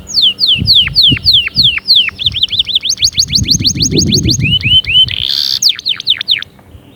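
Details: Energetic canary song of descending sweeps, a rapid rolling phrase, a run of upswept notes, a brief buzzy burst, then more downward sweeps; low rumbling noise underneath.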